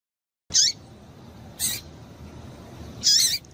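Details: Double-collared seedeater female call meant to stir males into song: three brief, bright, high-pitched chirps with falling sweeps, the last one longer, separated by quiet hiss.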